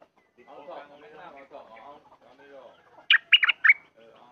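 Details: Sooty-headed bulbul at home, 28 December 2019: a short, lively phrase of four loud, liquid, chirping whistles follows soft background voices and murmuring.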